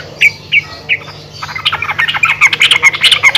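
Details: Yellow-vented bulbul female calling other bulbuls: three spaced sharp chirps open, then a dense, fast chattering burst of overlapping bright notes builds and continues to the end over a low steady hum.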